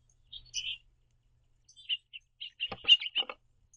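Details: House finch pair communicating while hopping about a backyard feeder; a few chirps, then a quickening run of bright notes tangled with clicks from the perch.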